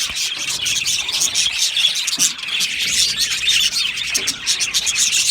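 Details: Australian budgies chirping in an aviary colony, a constant busy chatter of many high-pitched voices with a couple of faint lower notes underneath.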